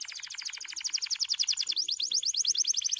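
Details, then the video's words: Singing white canary delivering a continuous rapid trill of crisp repeated notes, about ten per second, switching midway to a slightly higher, more ringing version of the same rolling tour. "Singing Canary Beautiful White Canaries and dancing on dry stalks to a beautiful song"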